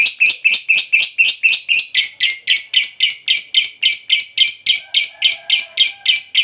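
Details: Fighter lovebird long-chattering 'ngekek panjang' as a lure for other lovebirds: evenly spaced, loud, squeaky-buzzy notes, about three to four per second, steady throughout, with a faint low hum in the background.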